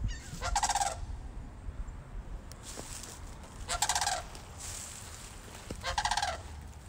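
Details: Three loud, rattling, overtone-rich calls from two sandhill cranes visiting Moosewood, roughly three seconds apart, with a few faint clicks and low background rumble.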